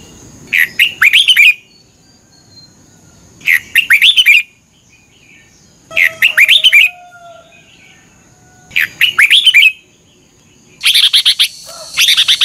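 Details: Red-whiskered bulbul giving a morning fighting song used as decoy to train and stir other bulbuls to sing; four short bright warbled phrases about three seconds apart, then a denser, louder burst at the end over a faint steady high tone.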